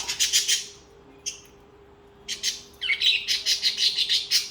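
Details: Budgerigars singing: fast, rhythmic high chattering notes pulsing several times a second in long runs, broken by a short pause, then resuming as dense bright warbling chatter.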